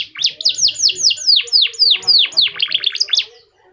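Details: A singing F1 canary, its unique song used to prompt other canaries to sing: a steady series of about four bright falling notes per second, then a brief quick flourish before fading to silence.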